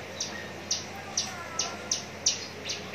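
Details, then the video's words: Contest-ready Javan bush lark kept in a cage at Cikupa, Tangerang, uttering single high, clipped chirps spaced roughly half a second apart, each a quick falling flick, with a faint thin whistle in the quiet background. "branjangan parva joss siap gantang"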